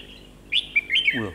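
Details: Red-whiskered bulbul decoy during a trapping session: a short, clear whistled phrase with quick upward and downward sweeps, ending as a man's voice begins.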